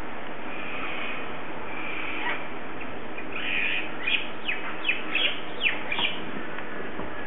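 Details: Cockatoos destroying a tree give a handful of short, harsh, downward-slurred squawks in a quick irregular series over a steady low rumble of background noise.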